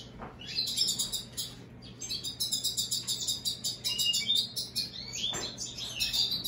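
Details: Hybrid of American goldfinch and European greenfinch singing a fast, high run of twittering, chattering notes in rapid repeated bursts, with a steady low hum underneath.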